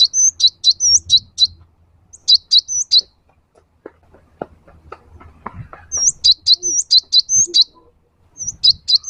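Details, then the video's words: Lure song of the cinereous tit (gelatik batu), meant to stir a kept bird into singing: two bright bursts of repeated high chirping notes with a quiet gap of scattered clicks between them. "Suara burung gelatik wingko gacor"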